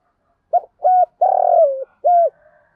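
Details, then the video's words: Decoy spotted dove cooing to attract wild doves, in a four-part phrase: a quick note, a level coo, a long throbbing coo that falls away, and a last short level coo with a faint trailing sound. "chim cu mồi thúc gù bài bản nhất hiện nay, chim cu gáy kích bổi hiệu quả nhất hiện nay"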